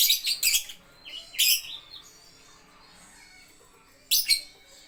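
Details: Lovebird at a bird playground making loud harsh chirp bursts, with a grouped cluster at the start, another after a second, then a quiet pause and a final burst.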